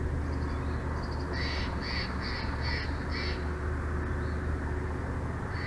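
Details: Bald eagle on a nest cam in Big Bear Valley, home of a breeding eagle couple, 06/04/2024 at 22:36: after faint chirps, five loud, evenly spaced high yelping notes about half a second apart, then quiet, with constant low hum beneath.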